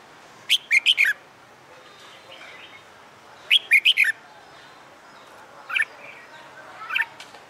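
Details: Red-whiskered bulbul, caged and trained for fighting song after a month in a new cage, delivers a fast burst of four bright liquid notes, repeats the phrase about three seconds later, then adds single softer chirps.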